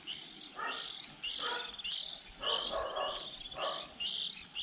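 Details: Fledgling white-eyes early in the season, 2020, recorded to lure birds into traps: high twittering bursts about twice a second, each with a buzzy lower edge, in a steady chorus.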